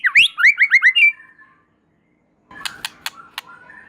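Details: White-rumped shama in full song, said to prompt other shamas to join in: a fast series of loud rising slurred whistles, a pause, then softer sharp clicking notes with faint whistles.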